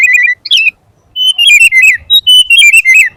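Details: Sooty-headed bulbul (kutilang) gacor, full isian: a short warbled phrase and a sharp rising note, then a silence before a series of clear level whistles broken by quick downslurred dips.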